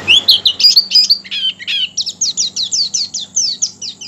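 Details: Oriental white-eye song used to prompt other white-eyes to open their beaks and sing: quick high twittering, first warbled notes then a steady series of rapid falling chirps, over a low mechanical hum.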